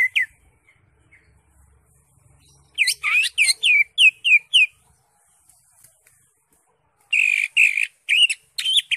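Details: Greater green leafbird in ngekek song, a brief whistle followed by a rapid run of about eight short, sharply falling whistled notes, a pause, then a denser burst of buzzy, warbled notes.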